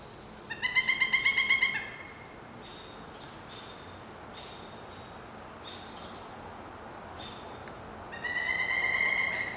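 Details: Pileated woodpecker chicks, one day before fledging, in a nest about 25 feet up a dead snag, with a parent answering: a fast run of about nine loud, nasal, evenly spaced notes, a pause with faint high whistles from other birds, then another rapid run.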